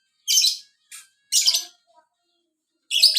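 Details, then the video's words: Lovebird of the biola type singing actively (gacor): short, shrill, harsh chirping bursts separated by brief pauses, with a quieter chip between them, in otherwise silent surroundings. "burung Lovebird biola. gacor"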